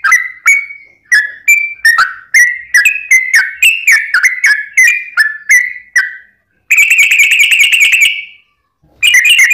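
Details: Lure song of a sooty-headed bulbul meant to set other bulbuls singing: a quick series of short whistled notes wavering up and down, then a long buzzy rapid trill, a pause, and the trill starting again.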